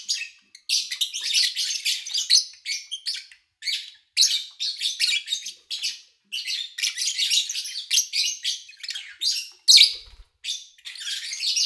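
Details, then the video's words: Caged lovebirds recorded in early August 2019, morning to evening, with little engine noise: long sequences of sharp, grating chirps in rapid clusters, a few short pauses, and one brief low thump. "Sounds of Lovebird Chirping"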